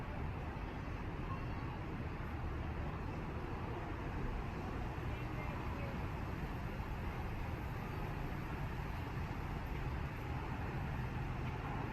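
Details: Steady low rumble of road traffic with indistinct voices; no animal calls stand out.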